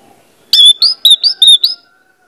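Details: Orange-headed thrush singing as a lure to prompt others: five clear, sharp, high whistled notes repeated in quick even succession over a faint low hum.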